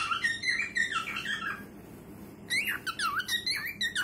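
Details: Cockatiel; song; courtship, singing to its mate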